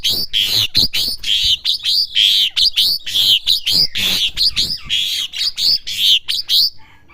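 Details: Asian pied starling youngster learning to sing delivers a long, loud stream of rasping, chattering notes mixed with whistles, more than one note a second, ending abruptly.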